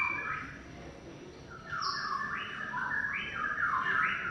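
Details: Greater green leafbird song of long, continuous phrases: a faint opening, then loud rising and falling whistled notes in a looping, wavy pattern, repeated about every half second over background hiss.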